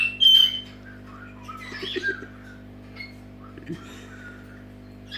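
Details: Pet Senegal parrot giving a wake-up call indoors: a sharp high whistle near the start, then scattered squawks and short whistled notes with quiet gaps, over a steady low hum.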